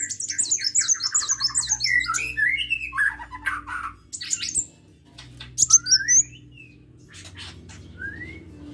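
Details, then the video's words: Sunbird in lively song, opening with a fast, high, sawtooth trill and lower stuttering notes, then scattered rising whistles and squeaky chirps that thin out toward the end, over a constant low background hum. "KICAU BURUNG KOLIBRI GACOR"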